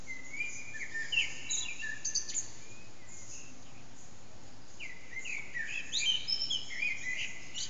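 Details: Unseen Eurasian blackbird singing around 4:30am in an echoing backyard, phone-recorded: two separate bouts of flowing fluted phrases with high twittering endings, separated by a quiet pause of about two seconds.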